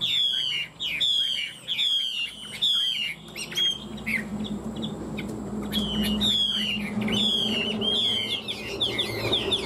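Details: Fighting-style singing from a caged Chinese hwamei, two birds tamed three years: high whistled slurs each falling in pitch, strung in quick series, a lull, then another series, over soft rumbling background.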